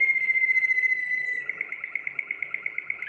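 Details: Waterslager canary, the Belgian song breed, delivering a pure sustained whistle that changes into an evenly pulsed, dripping, water-like tour repeated several times a second.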